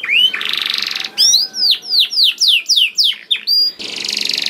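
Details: Canary singing hard (gacor) to lure others into song: a buzzing rattle, then a run of clear downward-sweeping whistled notes, and another dense buzzy roll at the end.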